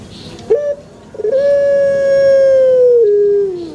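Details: Puter pelung dove calling in a banana garden: a brief clipped note, a pause, then one long even coo lasting over two seconds that dips slightly lower at the end.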